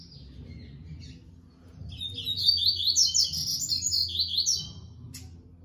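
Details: Captive male Yellow-bellied Seedeater, paired with a female, sings a quick, high, twittering phrase of about three seconds made of rapid slurred notes over a faint low hum.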